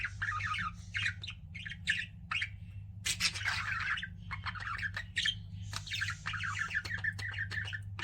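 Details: Pet budgerigars warbling almost nonstop, rapid rippling chirps and buzzy squawks strung into fast chattering phrases, a low hum running beneath.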